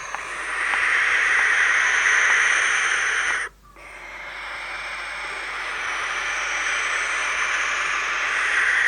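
A barn owl gives long, harsh, hissing screams, the first lasting over three seconds. After a brief break a second drawn-out, rasping scream follows.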